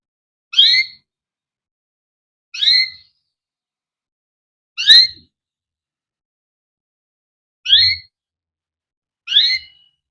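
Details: Captive canary singing the "cuit cuit ngerol" style, kept as a recording to prompt young or quiet canaries to sing. Five clean, high, sweeping chirps sound about two seconds apart, with silence between them.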